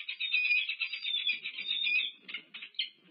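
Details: Peregrine falcon pair at a UC Berkeley nest, 1 March 2023, in courtship, giving harsh, wavering, nasal wails with fast chattering, continuous at first, then breaking into shorter bursts, over a faint low rumble.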